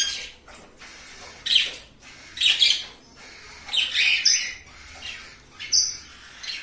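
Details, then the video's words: Newly paired Indian ringneck parakeets, a turquoise-blue male and an albino female, giving loud harsh squawks in separate bursts about once a second, some with a screechy rising edge. "NOVO CASAL DE RING NECK – MACHO AZUL TURQUEZA E FÊMEA ALBINA"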